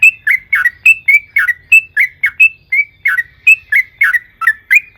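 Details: Yellow-vented bulbul pouring out long 'ropel panjang' song used to spur other birds to sing: continuous liquid slurred notes, alternating higher and lower, about four a second, with nothing else heard.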